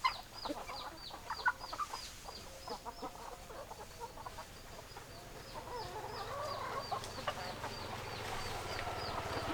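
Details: Flock of hens clucking: uneven, throaty clucks scattered throughout, with a steady run of high, thin, falling chirps above them. A low rumbling background rises toward the end.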